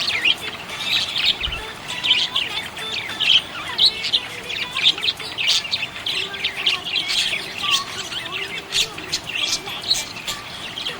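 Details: Happy pet budgerigar chattering nonstop, a dense stream of rapid high chirps, clicks and squeaks, with faint lower gliding whistles running beneath the chatter.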